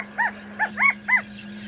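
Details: A female California quail gives four short, arched, mellow notes in quick succession, rising then falling, over a steady low hum.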